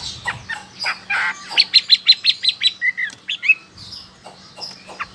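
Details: Chinese hwamei, a loud-voiced bird originating from China, recorded in Sokaraja, Banyumas, Central Java, Indonesia; rapid series of about nine bright, even whistled notes, then slurred phrases and softer chirps, with a faint steady hum.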